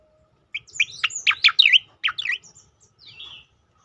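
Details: Striated grassbird song for training and luring other birds into song: a quick jumble of high sharp chirps and descending slurred notes lasting about three seconds, ending in a faint thin whistle.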